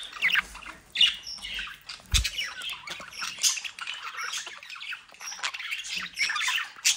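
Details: Budgerigars from a home breeding flock in the Den Haag region, South Holland, Netherlands, described as mischievous: dense overlapping squawks and scratchy chirps, with a brief low thump near the middle.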